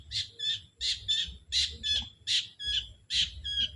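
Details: Young forest sooty-headed bulbul calling to wild bulbuls, used to train as a lure: five rapid doubled chattering notes, each a harsh burst followed by a clearer note, repeated about every three-quarters of a second over a low background rumble.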